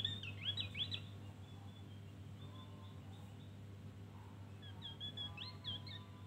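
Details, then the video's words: Javan grey-throated white-eye singing in the ngeriwik style: rapid bursts of high, bright twittering chirps at the start and again near the end, with a quiet stretch between, over a steady low hum. "Opior Jawa ngeriwik Full isian"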